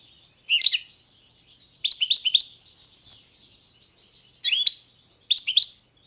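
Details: European goldfinch, subspecies balcanica, delivering four brief phrases of sharp, high twittering notes, each burst of clustered chirps and slurred whistles lasting under a second, with short silent pauses in between.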